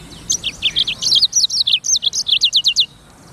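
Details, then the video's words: Black-throated canary (sanger) in full, lively song: one continuous, rapid string of about twenty high, sweeping chirps lasting nearly three seconds, then a quiet ending. "BURUNG FINCH EDEL SANGER / BLACKTHROAT Suara Gacor"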